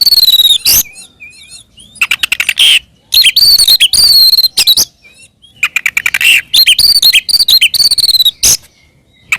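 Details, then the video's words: Oriental magpie-robin (kacer) in provoking fighting song: high whistled phrases, soft twittering notes and rapid harsh rattling bursts, delivered in groups with short pauses. "SUARA BURUNG kacer gacor NGEPLONG TARUNG ini paling AMPUH buat PANCINGAN KACER agar EMOSI NYAUT"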